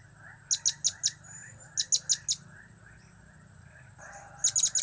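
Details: Blue-crowned hanging parrot calling the cap, kiak and crap types in three short bursts of three to four piercing high chips, separated by pauses, over a low background hum.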